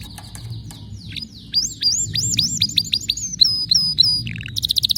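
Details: Canary song with distinctive notes, rising and falling whistled slides repeated rapidly, then a quick high rattling trill at the end, over a steady low background hum.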